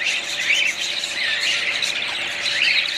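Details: Dense, high chatter of budgerigars: many overlapping squeaky chirps and short rising warbled notes, steady in loudness throughout.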